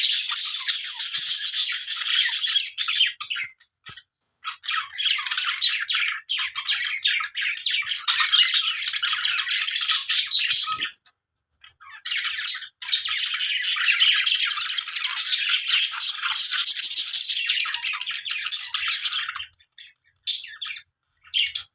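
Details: Budgerigars in a happy, playful mood chatter in long, bright bursts of scratchy warbles and squawks, with only brief pauses.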